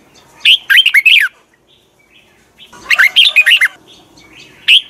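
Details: Morning song of a red-whiskered bulbul in the double twisted voice style, used as a decoy recording to train birds: two lively phrases of fast, rising and falling whistled notes with a pause between them.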